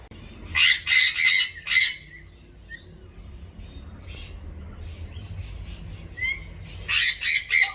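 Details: Wild galahs feeding on seeds in an Australian backyard, with rosellas also visiting: bursts of harsh, rasping screeches in quick runs of three, a brief whistled note between, then another rapid screech series, over faint background hum.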